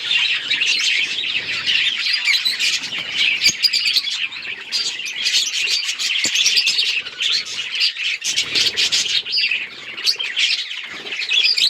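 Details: Budgerigars in a group, noted on October 26, 2023, produce a long, unbroken wash of high twittering and chirping from many birds, with occasional sharp clicks and faint wing sounds.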